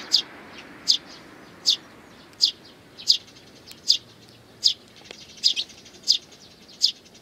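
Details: Sparrows and nestlings, 8 May 2019: a steady series of single high, sharp chirps repeated about every three quarters of a second, sometimes doubled, over a low quiet background.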